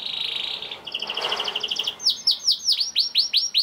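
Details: Young canary (kenari paud) song intended to get other canaries singing: a buzzy rattle and a row of short paired notes over background noise, then clear downward-swept whistles roughly every quarter second.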